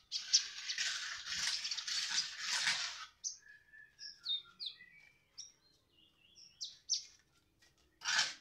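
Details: Sunbird song opening with a dense burst of scratchy high chatter, then spaced, thin, clear whistled notes rising and falling at varied pitches, closing with another short harsh burst.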